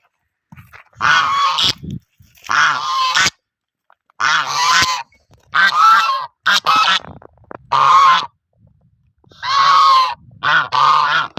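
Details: Goose giving a series of loud, harsh, nasal honks, each about half a second to a second long, in irregular bursts with short silent gaps, some calls slightly rising and strained.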